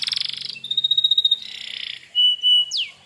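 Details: Canary singing a 'gacor' song intended to draw answers from other canaries; rapid pulsed trill, a sustained pure whistle, a buzzy rattle, then a level whistled note and a quick downward sweep.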